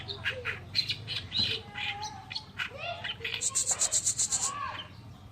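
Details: Oriental reed warbler (kerakbasi alis putih) in a masteran recording: harsh, grating chattering notes in quick bursts, then a rapid high trill of about eight even pips, over a low steady hum.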